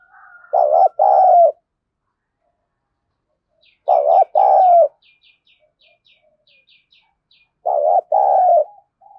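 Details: Harsh-voiced decoy spotted dove in thổ sấm style, goading wild doves: three paired deep coos, a brief note then a drawn-out falling one, repeated roughly every three and a half seconds, with faint high chirps from another bird between.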